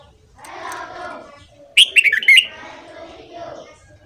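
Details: Morning song of a red-whiskered bulbul, used to train birds to sing: one quick, loud, lilting warbled phrase in the middle, framed by lower murmuring chatter.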